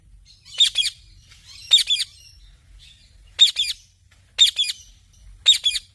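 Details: Parrot repeating harsh double-noted squawks about once a second, five bursts in all, with faint chatter and low background rumble between them.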